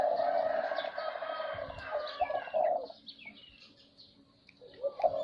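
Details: Zebra dove singing a dense, rolling, low trilled coo for almost three seconds. A quieter pause with faint chirps follows, then a short coo returns at the end.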